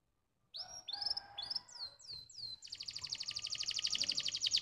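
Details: Canary giving a stimulating song meant to rouse other canaries: rising whistled slurs and falling sweeps open the phrase, followed by a long, dense, bright trill of rapid notes steadily repeated.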